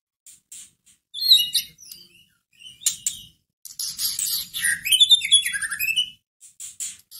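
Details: White-rumped shama kept in a cage, a recording meant to rouse another shama's fighting spirit: bursts of loud, varied song with sharp clicking notes, fluty rising and falling whistles and harsh chatter, separated by short silences.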